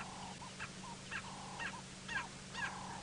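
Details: Grey go-away-birds, just flown into the area near a water hole, give harsh, nasal, drawn-out calls about twice a second over a low engine hum and steady whistling tone, on a sunrise safari drive at 8 AM, June 20, 2017, Djuma, Sabi Sand, South Africa.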